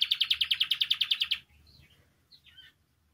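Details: Song of a Spanish timbrado canary for training young birds: a loud, evenly pulsed metallic roll lasting over a second, followed by a pause and a few soft scattered chirps.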